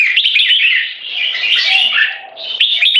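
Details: Rival jambuls, or red-whiskered bulbuls, competition birds of 3.5 and 7 years, duel in butir frequency singing to subjugate an opponent. A continuous rush of sweet, rapid, slurred whistles dips briefly near the end, then bursts back loudly.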